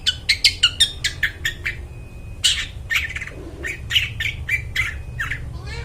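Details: Long-tailed shrike singing actively, its clear, ringing voice used to attract forest birds; a fast train of short, sharp notes, a brief pause, then a second steadier series of harsh chips, over a soft low rumble.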